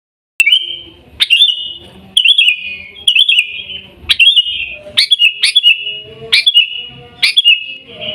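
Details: Sooty-headed bulbul from Busu Reului, Mutiara, Pidie, Aceh, singing in the Gaya Garuda style: a sharp click opens each fluttering, trilled whistle phrase, repeated about once a second, with faint low background hum.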